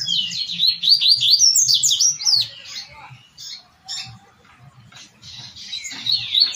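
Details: Double-collared seedeater in Tui Tui song style, used for training caged birds: fast, dense strings of high zigzag chirps, a short gap, then another high run, over a soft low throbbing background.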